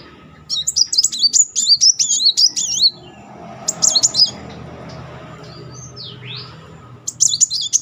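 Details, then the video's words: Brown-throated sunbird in full song, used as a lure to trigger singing in another bird: quick high, wavering chirped phrases for about two and a half seconds, then a faint murmur, a short burst and a final chirp cluster. "Kolibri Muncang gacor ngeroll || pancingan terapi memancing emosi Muncang macet"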